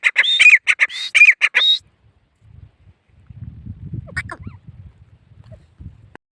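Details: Partridge (teetar) giving a quick series of about seven loud, harsh, grating notes packed into under two seconds, then falling silent while faint low rumbling handling noise follows.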